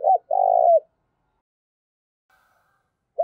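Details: Spotted dove used as a lure, calling eagerly: a short coo and a long rolling, buzzy coo, then quiet, with a faint thin tone in the gap and a fresh coo starting at the end.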